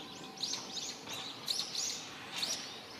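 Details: Japanese pygmy woodpecker calling in coppice woodland at fledging time on 8 May 2020, parents urging chicks to leave the nest; short squeaky, slightly rasping high notes come in loose clusters about every half second over a soft background hiss.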